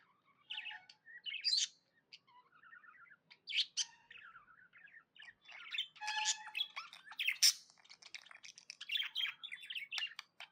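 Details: A tame budgie chirps contentedly, starting with scattered twitters and short whistled slides, then building into a continuous busy warble with harsh buzzy notes.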